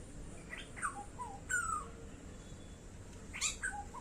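Black-hooded oriole giving short, liquid down-slurred whistles in scattered bursts, a few notes at a time, over a soft background hiss.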